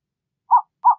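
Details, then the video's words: Burrowing owl (Athene cunicularia): two short, low hooting notes about a third of a second apart, each clipped and evenly pitched, in an otherwise silent recording. "Lechucita Vizcachera Canto! Lechucita Vizcachera Sonido! - Burrowing Owl Song - Athene Cunicularia"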